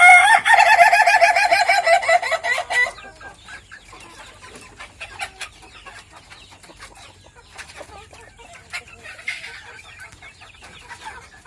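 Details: Meulaboh Ayam Ketawa, the owner's own bird, gives a ngokok crow: almost three seconds of rapid, evenly pulsed, rattling notes sounding like laughter, followed by a long stretch of quiet with faint clicks and distant sounds.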